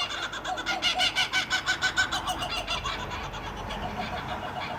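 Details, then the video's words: Two Kookaburras on a street in Sawtell at night give a rapid, raucous cackling series of harsh notes, about three per second, that swells loudly and then fades, over a steady background hiss. "Two Kookaburras Makes A Noise In The Background"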